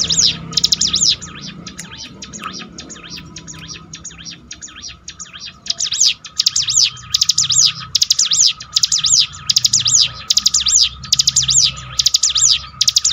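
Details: Bar-winged prinia song used to train and restore a bird's mental toughness: quieter distant twitter in the first half, then from six seconds loud, rapid, high arched chirps in repeated bursts over low background rumble.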